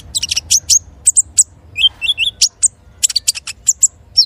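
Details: White-rumped shama (konin) singing as a training recording for other birds: varied high whistled notes and clicks, a short run of three lower slurred whistles midway, separated by short gaps, with faint low background rumble.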